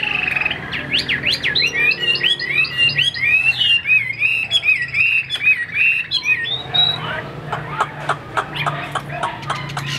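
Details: Chinese hwamei in a rapid, jumbled burst of whistled, zigzagging notes that ends in short, clipped, staccato chips.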